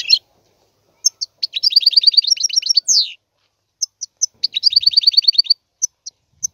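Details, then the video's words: Twittering song of a European goldfinch, with isolated bright chips alternating with two long runs of quick, evenly repeated tinkling notes, the first ending in a buzzy downward slur. "احسن وافضل تغريد طائر الحسون"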